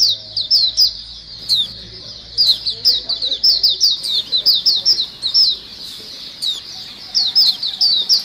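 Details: White-eye lure sound, an 'ombyokan' recording of many white-eyes singing busily: dense, high, thin chirps and quick twittering notes overlapping almost without pause, with brief gaps near the sixth second; faint low hum underneath.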